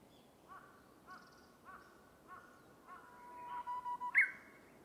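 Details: Japanese bush warbler (uguisu) singing by a bamboo forest: a string of short clear whistles about every half second, then a longer steady whistle ending in a sharp rising flourish. Soft background hiss.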